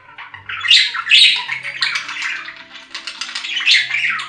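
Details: Budgerigar warbling continuously in a busy stream of squeaky chirps and scratchy notes, with louder bursts at the start and near the end.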